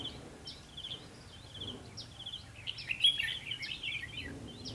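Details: Red-whiskered bulbul heard while trapping on 21 October 2016, giving short whistled and trilled phrases that build into a louder, denser chattering burst midway, over a faint low background hum.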